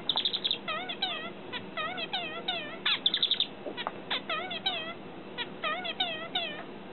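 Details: Zebra finches in Australia give rapid, nasal, toy-trumpet calls and short chattering notes in quick succession.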